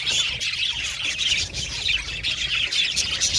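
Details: Crowded aviary of budgerigars chirping and squawking, short whistled notes and scratchy chatter layered densely through the whole recording.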